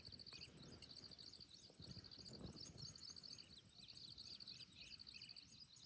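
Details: Baya weavers in Jim Corbett National Park, heard on a jungle safari, give rapid, high, twittering chatter in short repeated bursts over a low rumble of wind or distant traffic; finding: Baya weaver.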